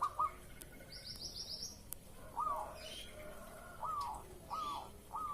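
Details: Morning lure coo of a zebra dove in breeding condition, given to draw a reply: short clipped cooing phrases repeated in a loose series, with a thin high twittering bird in the background.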